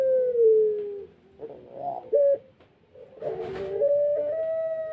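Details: Barbary dove whose tail is healing and whose voice is not yet at full strength gives long, mellow cooing notes, first gently falling, then drawn out and slightly rising, with a few shorter notes between.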